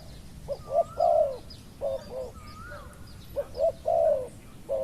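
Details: Spotted dove used in luring a slow-coming wild dove, one with a small voice. Repeated phrases of two short coos and a longer descending coo. Faint higher slurred whistles from another bird overlap.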